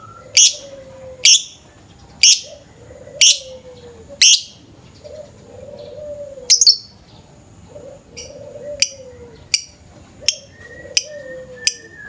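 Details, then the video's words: Morning lovebird lure recording with sharp, rasping chirps in an uneven series, about one per second, fading to thinner clicks later; faint low whistles and other bird notes run underneath. "Pancingan suara burung lovebird pagi pagi ngekek panjang"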